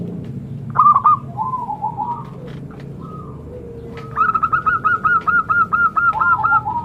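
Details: Zebra dove, regarded as a sacred bird, opens with scattered stuttering coos and a low slurred note, then delivers a fast, even run of about nine bouncy repeated cooing notes ending in a lower dropping phrase.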